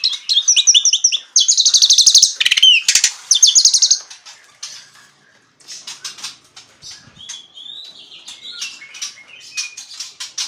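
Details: Asian pied starling in full, ngaruda-style song: four seconds of loud buzzy trills, rattling bursts and a sliding whistle, then quieter scattered chips and short whistles.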